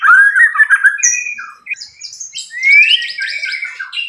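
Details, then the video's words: White-rumped shama fighter song: warbled whistles, a high thin note, then a rising whistle into harsh, buzzy high chatter. "MURAI BATU FIGHTER TEMBAKAN KERAS"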